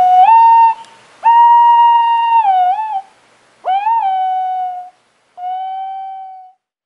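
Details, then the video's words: White-bellied green pigeon (Treron sieboldii) singing four long, pure, flute-like whistles, each swelling slightly upward then holding steady, some ending in a wavering dip; otherwise quiet. "綠鳩/White-bellied Green-pigeon(Treron sieboldii)singing"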